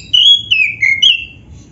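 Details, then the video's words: Black-breasted oriental magpie-robin giving a short, pure whistled phrase of three or four slurred notes, each gliding slightly downward, played as a lure to set other magpie-robins singing. "SUARA KACER GACOR FULL ISIAN ‼️ Bikin Kacer Lain ON GACOR"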